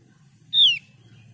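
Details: A single piercing whistle that drops in pitch, from a Javan grey-throated white-eye (opior jawa), with a low background hum.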